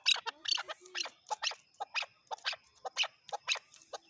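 Chukar partridge giving a steady run of harsh, clucking chuck notes, about two each second, with a faint thin whistle running behind.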